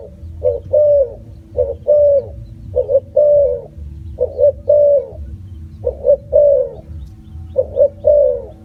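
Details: Repeated cooing of a spotted dove: six similar phrases, each a quick double note then a long falling coo, recurring steadily every second or so over a faint low hum.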